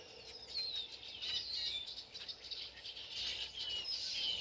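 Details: October dawn in the woods, with birds singing: bright, high whistles sweeping downward and quick twittering phrases from more than one bird, repeated throughout over a soft hiss.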